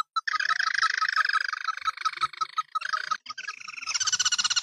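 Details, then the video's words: Crake known locally as sintar api, a red-eyed bird with a fiery red head, neck and breast, in an edited lure recording: dense rapid chattering notes in a long continuous run, briefly broken, then a higher, brighter stretch. "suara burung tikusan mata merah, sintar api"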